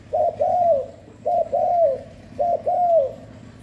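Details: Spotted dove calling without background noise, played to stimulate doves; three paired phrases, each a brief coo then a longer slurred coo that droops at the end, repeated roughly every 1.2 seconds.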